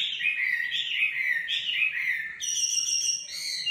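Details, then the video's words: A nightingale sings a rolling warble of repeated slurred notes, then switches abruptly to a high, sustained trill with layered ringing tones. "Singing nightingale. amazing bird song"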